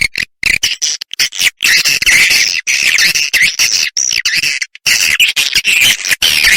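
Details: Edible-nest swiftlet roosting lure call, played to draw swiftlets in to roost: dense, buzzy, high chattering twitters run almost nonstop, broken only by brief cut-off gaps.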